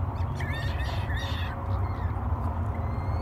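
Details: Peregrine falcon chicks begging during a feeding at Great Spirit Bluff, May 2022, three young in the nest: a short burst of wavering, squealing wails that fade quickly, with constant low rumble beneath.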